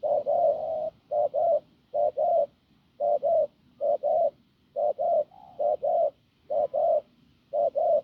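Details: Field-caught spotted dove with a rough, powerful voice repeating low doubled coos, a quick note then a slightly longer one, in a regular series roughly every seven-tenths of a second.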